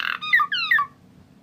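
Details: A tame Asian pied starling giving a brief harsh phrase of a few slurred, wavering whistled notes sliding downward, lasting under a second.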